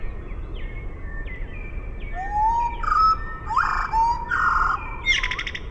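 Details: Eurasian blackbird singing, played at half speed: a rising fluted whistle, then rich warbled notes broken by bursts of rapid, buzzy high trills, after a run of short repeated thin notes.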